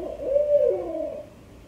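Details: Barred owl calling at 3am in Roland Park, Baltimore, Maryland: a single deep hoot about a second long that swells, then slides downward into a drawn-out, fading tail against a quiet night background.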